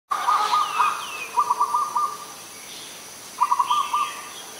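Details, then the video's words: Adult Zebra dove calling in Ubon Ratchathani, Thailand, on 21 September 2022. It gives a rapid staccato cooing trill of short pulsed notes, in three bursts over steady background hiss, with faint high bird calls behind. "นกเขาชวา (Zebra Dove)"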